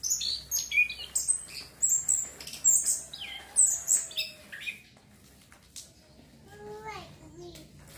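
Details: Orange-headed thrush singing, played to stimulate breeding urge and bring on lively song. A burst of dense, high chattering and squeaky notes for about five seconds, then quieter, with a few descending slurred whistles near the end.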